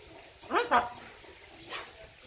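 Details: A five-year-old talking macaw, taken outdoors and chatting with its owner, answers "how are you?" with a harsh two-syllable Russian word "kruto" ("cool"), then a fainter, shorter sound a second later.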